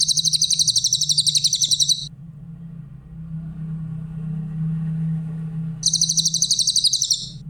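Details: High, fast, rhythmic trills from a grey-headed canary-flycatcher kept as a training master for songbirds: one trill of about two seconds, a pause with a low rumbling hum, then a second trill begins.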